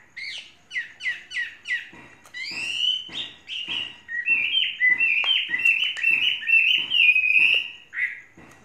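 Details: Chinese hwamei, a tame bird of three seasons, opens with short sharp repeated notes, then builds into a fluent stream of loud varied whistles, swooping up and down in rapid succession.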